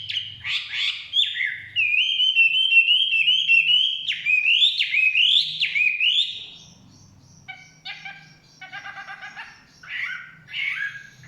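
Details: Chinese hwamei singing in forest: rolling, looping whistled phrases rising and falling, followed by quieter rapid clipped chattering notes and a final whistled flourish.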